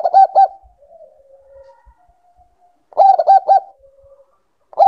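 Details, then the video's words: Bangkok zebra dove, a cage bird in breeding condition, uttering brief groups of three loud clipped coos separated by long, quiet, wavering purrs. "Naikan Birahi Perkutut Bangkok"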